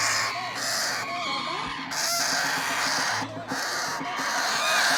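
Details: Parrot chicks on hand feeding produce rasping, buzzy begging cries in short repeated bursts with thin whistled upslurs mixed in, pausing briefly near two and three and a half seconds.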